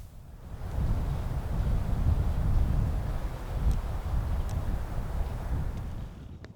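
Steady low rumble of wind buffeting the microphone, with no animal calls heard.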